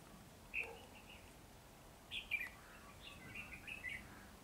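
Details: Red-whiskered bulbul singing while spreading its wings in a butterfly-like display: short bright whistled phrases, one alone, then a pair of quick warbled notes and a longer looping run, over faint background hiss.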